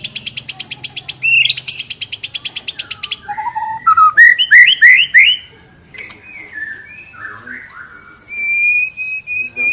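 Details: Lure song of a white-rumped shama for training birds to sing their full repertoire: a buzzy rapid rattle for three seconds, then rising slurred whistles, looping phrases and a long steady whistle at the end.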